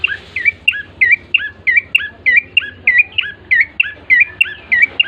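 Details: Bar-winged prinia lure song meant to make other birds sing fast: an unbroken run of about fifteen bright, hooked chirps, evenly spaced roughly three per second, over a soft low hum.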